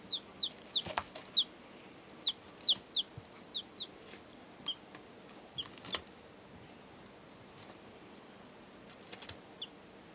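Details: Three two-day-old chicks, recorded in 2012, give high, short, downward-slurred peeps, often in quick pairs. The peeps cluster in the first four seconds, then come only now and then, with soft scratching and tapping clicks in between.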